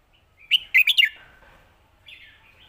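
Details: A Red-whiskered bulbul delivers a Lak Wai style master song: a lively phrase of five whistled notes stepping up and down, then a faint softer note trailing after a pause.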